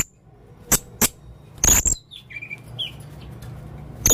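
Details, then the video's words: A male blue-crowned hanging parrot gives a few loud sharp clicks and a thin, very high whistle, followed by softer squeaky mid-pitched notes, with a faint low hum underneath. "burung serindit jantan gacor banyak suara aneh"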